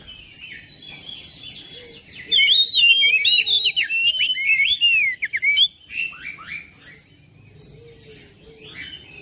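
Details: Oriental magpie-robin singing to stir a silent bird into song: a loud three-second run of quick, sharply modulated whistles and trills, with softer scratchy notes before and after and a faint low hum.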